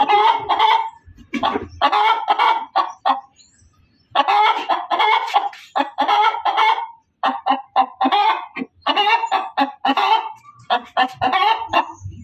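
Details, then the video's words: Female chicken cackling loudly and persistently: long runs of raspy, rhythmic squawks with one clear pause, then fast repeated notes to the end. "SUARA AYAM BERKOKOK KERAS || suara ayam berkokok betina"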